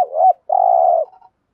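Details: Fragment of a spotted dove's stimulating coo, used to push other doves to call: a short rising hoot, then a sustained buzzy low coo of about half a second fading into a faint trailing note.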